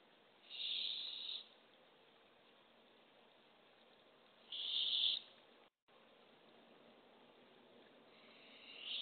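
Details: Barred owls at a nest box camera early on April 27, 2024, as the female arrives with a baby opossum for a hungry owlet. Two breathy, hissing screeches about four seconds apart, with a third starting at the end.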